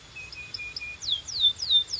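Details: Brief canary phrase: soft short piping notes, then loud slurred descending whistles repeated about every quarter second.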